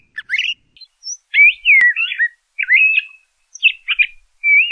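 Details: LeConte's thrasher delivering a few separate phrases: warbled, slurred whistles that dip and rise, each about half a second long and set apart by short pauses, in a clean, quiet setting.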